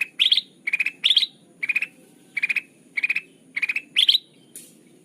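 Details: Sooty-headed bulbul lure call meant for catching birds: repeated rattling bursts of quick notes, higher-pitched ones mixed among lower ones, spaced roughly half a second apart over a faint hum.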